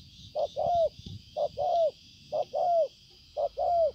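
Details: Spotted dove, recorded 5 September 2020, cooing in paired phrases: a brief soft note followed by a drawn-out falling coo, four phrases spaced roughly a second apart against steady background hiss.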